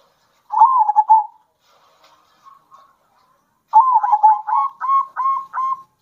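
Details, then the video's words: Zebra dove song used to provoke other doves: a pulsed coo, a few soft notes, then a long phrase ending in five clear repeated rising notes. "Kombinasi Suara Perkutut Lokal Gacor Bikin Perkutut Emosi"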